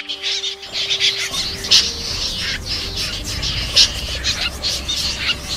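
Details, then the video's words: Snipe lure recording for night net-trapping of migrating birds, August 2023: harsh, rasping calls repeating about every two seconds over a steady hiss, after a brief musical tone at the start. "Tiếng Rẽ Giun , Sâm Giun"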